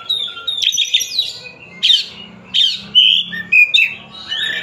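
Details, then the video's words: White-rumped shama of the Tasikmalaya type singing loud separate phrases: abrupt high sweeps followed by clear whistled notes, about five bursts, with a low hum beneath. "Kacer Tasik Muni sak enak e atine"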